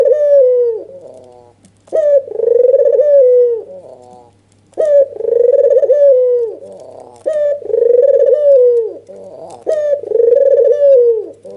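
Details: Red-eyed albino white dove calling energetically while nodding, used to make lazy doves respond: five throaty, trilled coos at regular intervals of about two seconds, each with a crisp lead-in note, faint hum throughout.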